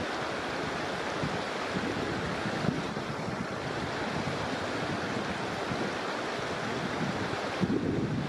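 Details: Continuous roaring wind and surf noise buffets the microphone throughout, with no animal voice heard.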